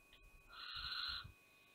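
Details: Barn owl family at Théding on 5 July 2021 as the mother drives off her young. A rough hiss with a lower, more tonal rasp lasting under a second, accompanied by dull bumps and thuds of movement.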